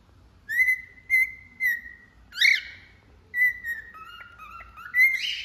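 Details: Three evenly spaced clear whistles from a cockatiel, then a raspy rising squawk, followed by level whistled notes that step lower and end with a brighter, higher squeak.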